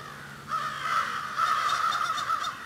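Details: Crows cawing in a drawn-out, overlapping chorus, hoarse calls running together with barely a break over nearly two and a half seconds, part of a group discussion.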